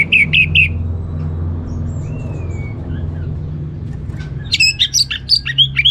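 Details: Orange-headed thrush, a kept bird in northern Bali, singing loud whistled notes: three quick bright phrases at the start, a soft sliding whistle midway, then a rich jumble of high chirps and trills, with low hum.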